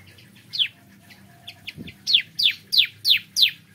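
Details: Bar-winged prinia singing in the morning: an isolated sharp downslurred note, a few softer chips and a low thump, then a steady run of five loud, high, falling notes.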